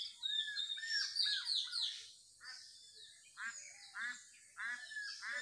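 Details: Morning birdsong outdoors: a busy mix of high chirps and twitters at first, then a series of short raspy buzzing calls repeated roughly every half second.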